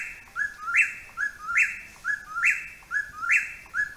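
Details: An Eastern Whip-poor-will calling vigorously from a tree overhead along a hiking trail repeats its ringing three-part whip-poor-WILL, rising to a sharp accented end, about once a second with no other sounds.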